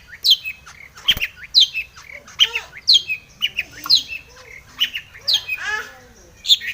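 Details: Long-tailed shrike in full, energetic song packed with fill phrases, used as a lure to provoke other shrikes to sing. Sharp high notes alternate with harsh, raspy chattering bursts, repeated roughly every second, with no other sounds.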